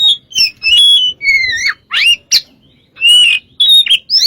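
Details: Oriental magpie-robin in full song, used as a lure to draw other birds into singing: loud, varied whistled phrases with sharp upward and downward slides and short pauses between bursts, on a quiet background.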